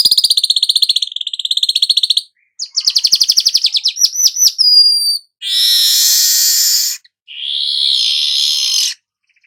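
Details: Golden-headed weaver singing a dry, rapid ticking chatter that speeds up into stuttering clicks and short rising notes, then two long, loud, hissing sizzles.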